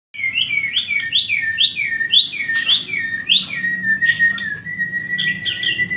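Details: White-rumped shama song: a run of clear whistled phrases, each sliding and looping between middle and high pitch, repeated almost twice a second, with a low steady hum beneath.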